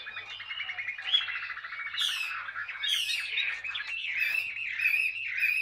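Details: Caged Chinese hwamei, an old wild-caught bird kept two years, in ngũ trường song: a fast rattling trill leads into bright, warbled whistles with sharp high notes at intervals over a faint electrical hum.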